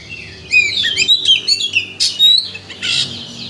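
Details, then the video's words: Oriental magpie-robin lure song meant to stir up another bird's emotion so it sings out its whole repertoire: rapid, tumbling whistled notes and twittering sweeps, a loud sharp note, then a buzzy phrase, against faint low background hum. "Pancingan Kacer Untuk Menaikkan Emosi Agar Mau Bongkar Isian"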